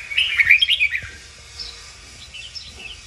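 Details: Red-whiskered bulbul training song, called kích bổi. About a second of quick, tumbling whistled notes opens the recording, followed by faint distant chirps over a soft hiss.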